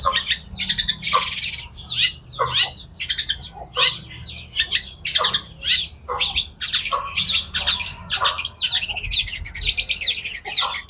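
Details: Long-tailed shrike in full song: a fast, irregular stream of harsh squawks, raspy downward sweeps and a brief noisy screech, turning into rapid thin chattering phrases toward the end, loud and continuous.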